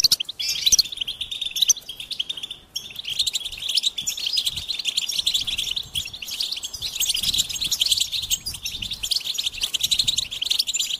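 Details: Continuous goldfinch song: fast, high, jingling twitters and buzzy trills run almost without a break, with a brief pause near the three-second mark before the chattering resumes.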